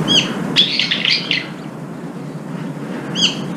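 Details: Brown-eared bulbuls fighting at a feeder: a sharp downslurred chirp, then a rapid run of harsh, scratchy squeals lasting under a second, and another clipped chirp near the end over faint low hum.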